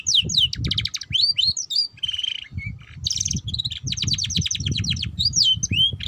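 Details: Canary singing ngeriwik-style chatter meant to coax young canaries into song: quick swooping whistles, a flat buzzy trill, then rapid rattling chip series and curved whistled notes, continuous over a low humming background.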